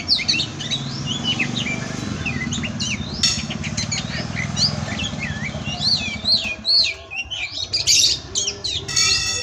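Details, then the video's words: Oriental magpie-robin song used as a master recording: varied rising and falling whistled phrases and quick chirps over a steady low hum, with a few sharp clicks. "Masteran Pastol Kacer"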